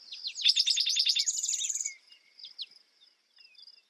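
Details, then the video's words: Spotted towhee singing one phrase: rapid repeated sharp notes that blend into a harsh buzzy trill lasting under a second. Scattered thin chirps from other birds and a constant high hum follow. "Spotted Towhee Bird Sound, Bird Song, Bird Call"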